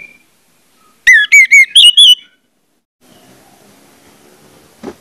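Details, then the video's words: Orange-headed thrush song played to coax other thrushes into singing: a quick burst of five loud, bright, wavering whistles, followed by quiet low rumbling and one faint click. "pancingan anis merah bikin anis merah lain cepat ngeplong"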